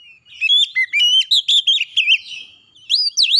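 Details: Oriental magpie-robin singing, used as a lure to bring a stressed bird into song: a rapid run of bright whistled and slurred notes, a short pause, then rising and falling whistles that close the phrase.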